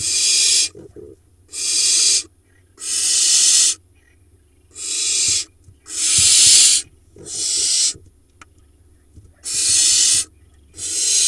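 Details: Barn owls in a nest box, Hula Valley, Israel, late June, with four nestlings; harsh drawn-out hissing shrieks about a second long, repeated irregularly roughly every one to two seconds.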